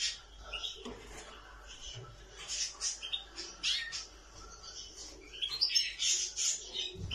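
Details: Nightingale song with dense, fast chattering notes and high twitters that build toward a louder, fuller burst near the end.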